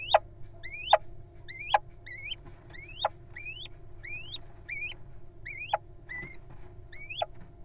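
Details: Young little owls in a nest box occupied by a wild pair: a series of upslurred whistles with abrupt falling ends, repeated irregularly over several seconds, one flatter shorter note among them.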